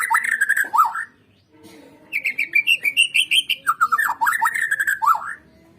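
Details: A white-rumped shama sings in a recording meant to set other shamas singing. A slurred, dipping phrase gives way after a short pause to a rising run of clear whistled notes, then a burst of fast chatter.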